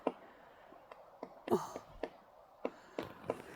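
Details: A Pileated Woodpecker forages for breakfast on a snowy morning, moving around a tree and chiselling at the wood: sharp, hollow knocks at an uneven pace, about eight in under four seconds, over a quiet background.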